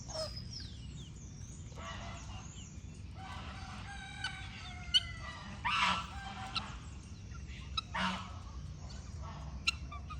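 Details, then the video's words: Chickens clucking on a farm, with short harmonic cackles and bursts rising over a steady low background rumble, while small birds chirp with thin high notes throughout. "Galinhas Cacarejando"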